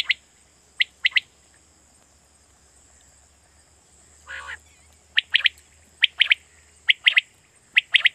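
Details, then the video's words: A lure call for quail at night in Pakistan. Crisp three-note bursts of sharp, high clicks repeat roughly every second, broken once by a lower, drawn-out nasal call midway, over a faint constant hiss. "Batair Kirak batair ki Awaz For Night Hunting"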